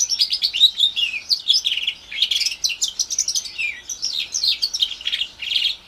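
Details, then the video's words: Young house finch x Timbrado canary mule, roughly four months old, orange/brown, singing a lively stream of warbles, downward slurs and fast chirped trills without a break. "Housefinch mule / Housfinch x Canary Kenari"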